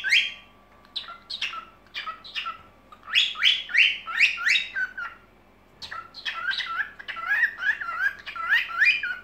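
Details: Pet cockatiel's evening singing: bursts of quick, bright chirps repeated about three times a second, pausing briefly near the middle before resuming.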